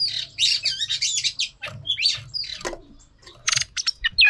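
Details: Oriental magpie-robin female singing to trigger male song for training: rough warbling phrases and squeaks broken by short pauses, ending with a bright downward whistle.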